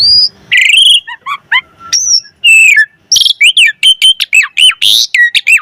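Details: Asian pied starling (jalak suren) in full, varied song used to stimulate other starlings into singing: loud whistled notes, harsh chatters and rapid mimicked phrases, rising and falling sharply in quick bursts with short pauses between.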